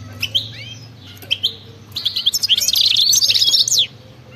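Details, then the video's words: European goldfinch, wild-type 'batbata' singing: a few isolated high chirps and curving whistles, then a dense, fast, buzzy twittering burst lasting nearly two seconds before stopping abruptly. "أطلع لي اي حسون ما يغنيش وسمعو هذا التغريد 😱😠 راح يغني بدون مقدمات بتبتة جنونية وغناء خلوي خرافي"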